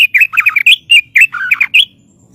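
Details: White-rumped shama singing as training master: a quick string of rich, slurred whistles and chuckling notes at mid-high pitch, ending abruptly in quiet.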